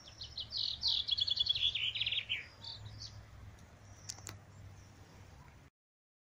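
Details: Goldfinch hybrid in song: a dense burst of bright, high twittering notes for about two seconds, then the phrase drops and fades, leaving quiet with a couple of sharp clicks.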